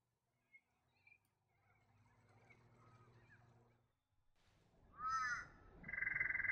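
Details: Torresian crow (Corvus orru) in the northeast of the New England region, NSW, Australia, gives a harsh, nasal caw, then a longer grating call, after a few quiet seconds of faint background rustle.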